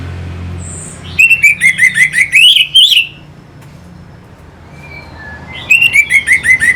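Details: An orange-headed thrush sings to provoke fighting birds: a quick string of loud, grating, up-and-down notes for about two seconds, a quiet gap with soft whistles, then the string resumes.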